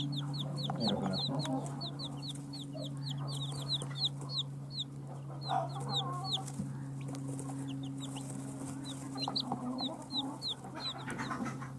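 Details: Newly hatched chicks of a domestic hen chirping rapidly after hatching: many short, high, downward-sliding peeps in quick runs, about three per second, over a steady low hum.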